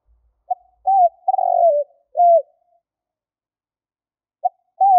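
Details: Lure recording of a spotted dove: one full low cooing phrase of a short note, a rising-falling coo, a drawn-out rolling trill and a final coo, then the next phrase begins. No other sounds.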